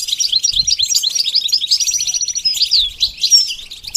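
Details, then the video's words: Goldfinch song for training a bird to sing, an unbroken stream of high, liquid twittering notes and quick slurred whistles with a few faint low thumps. "The basics of training the goldfinch to sing"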